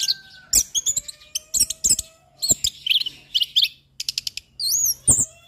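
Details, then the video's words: Orange-headed thrush in full varied song, recorded for training captive birds: a fast jumble of high chirps, clicks and short whistled slurs, with dry rattling bursts between phrases and a rising, looping whistle near the end. "Suara anis Kembang Mapan"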